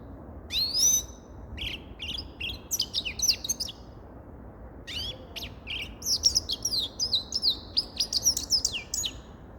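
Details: Grey-crowned goldfinch song in two bursts of tinkling, high twittering separated by a short quiet gap. The second burst ends in a fast liquid trill.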